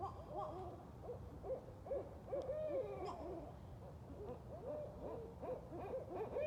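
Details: Four to eight wild Barred Owls calling together on a night walk; a dense, excited run of short arched hoots repeated about twice a second, overlapping voices with one longer clear wail near the middle.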